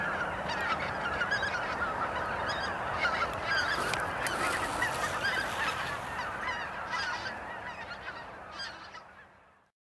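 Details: Dense chorus from a flock of greater white-fronted geese waking at the Blankaart on a frozen morning, with loud overlapping laughing honks and cackles that gradually thin and fade out near the end.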